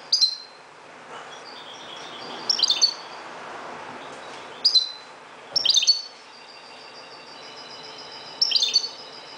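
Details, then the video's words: European goldfinch of Moroccan type in dawn song, giving clusters of high tinkling twitters every couple of seconds, with a thin sustained whistled note between phrases and faint background hiss. "JILGUERO **تغريد حسون مغربي ** CHANT CHARDONNERET MAROCAIN"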